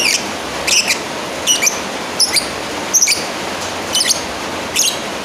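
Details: Calling out to a rival, a lovebird gives a run of shrill, piercing chirps, roughly one every second or less, some with a quick rising twist, over constant hissing background noise.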